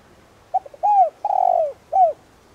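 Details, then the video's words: Spotted dove decoy bird of the 'đồng' voice type, cooing to provoke wild doves into answering: a few soft short notes, then a smooth falling coo, a long drawn-out cooing phrase, and a final shorter falling coo, quiet background. "Cu gáy Đồng rặc gáy gọi kích bổi nhanh nổi/Cu gáy mồi cây kích bổi cực nhạy nhanh gáy"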